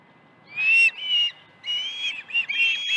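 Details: Ranch nest osprey on the morning of 21 August 2019, when fish were brought in: a few short, high whistled calls in quick pairs, clear against a quiet background.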